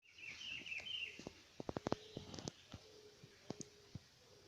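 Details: Green-winged saltator singing in the wild: a warbled, whistled phrase of about one second at the start, then a series of sharp dry clicks and knocks against a quiet natural background.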